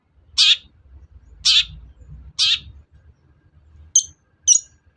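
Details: Long-tailed shrike sound used to provoke other shrikes into singing: harsh, grating high squawks repeated about once a second, then two short sharp chips, over a low hum.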